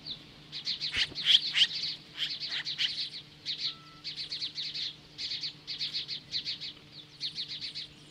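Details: Osprey defending its Hellgate Canyon nest in Montana against magpies, 10:26 AM, July 15, 2015: repeated groups of three to five sharp, high whistled chirps separated by brief pauses, over a low electrical hum.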